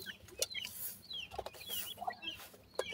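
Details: Faint, high, down-slurred peeps from grey francolin chicks in their growing-up stage, repeated irregularly over soft background hiss and rustles.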